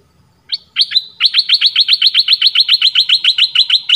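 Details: Red-whiskered bulbul, a southern Thai bird used as a lure to draw in others. After a brief opening, bright chirpy notes come in a fast, steady train of about twenty repeated phrases over a quiet background.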